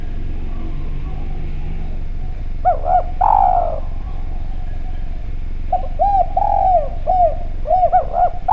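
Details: Spotted dove of the Javanese type, calling actively with a clear voice as a lure for other doves: two cooing phrases of short hooked notes and long falling coos after a quiet start with low hum.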